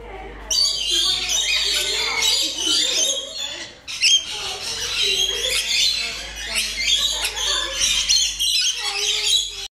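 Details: Rainbow lorikeet (Trichoglossus moluccanus) of eastern Australia giving harsh, shrill screeching chatter: dense, overlapping squawks run almost nonstop, broken by a brief pause near the four-second mark.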